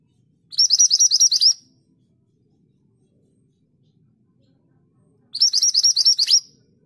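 Scarlet minivet giving two brisk bursts of about ten thin, high, sweet notes, each burst lasting a second, with quiet pauses between.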